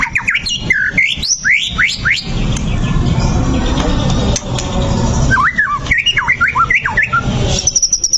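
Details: White-rumped shama song played to provoke fighting: bursts of rapid, clear, sweeping whistles rising and falling, one run at the start and another after a few seconds, separated by a stretch of heavy low rumbling noise.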